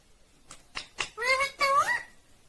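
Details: Indian ringneck parrot talking: a few short voiced syllables, then two longer word-like phrases with smooth gliding tones, sung in a small indoor room.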